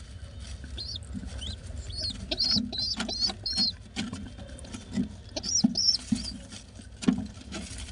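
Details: Pigeon chicks give thin, high, arched squeaks in quick bursts of three or four, over soft rustling and fluttering as an adult pigeon feeds them.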